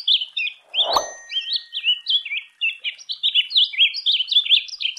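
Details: Rusty-collared seedeater (coleiro-do-brejo) singing a long, unbroken, fast twittering song of high, sweet, slurred and rising notes that keep changing in pitch, with one sharp click near the start and no other clear sounds.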